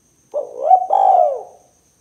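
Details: Lure call of a spotted dove for trapping and provoking rival doves, 'kuk 2' type: a short husky coo gliding upward, a brief break, then a drawn-out mellow coo that slowly fades downward, with no other sounds.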